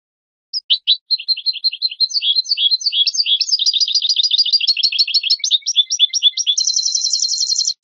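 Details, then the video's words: Captive European goldfinch song from a training recording for cage birds: a long fast run of twittering, tinkling notes around high pitch, ending in a rapid buzzy trill; no other sounds. "chant chardonneret 2017 goldfinch TRAINING CD"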